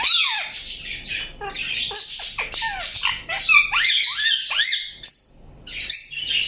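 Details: Indian ringneck parakeet chirping: busy mix of harsh squawks, sharp clipped chirps and short falling or rising whistles, with brief silent gaps and a final high raspy burst.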